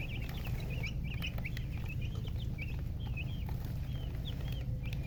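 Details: Chicken chirping: a quick, uneven run of short, high, bending chirps, some rising and some falling, several per second, over a loud, steady low rumble.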